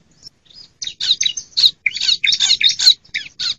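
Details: Harsh calling of a female bar-winged prinia, used as a lure for wild and quiet birds: a fast, scratchy series of loud buzzing chatter notes after a couple of faint opening sounds.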